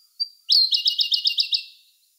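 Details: Siberian Blue Robin singing in May 2021, filmed with a Sony A1: a thin high lead-in note, then a loud rapid trill of bright repeated chirps, about eight in a second, fading at the end.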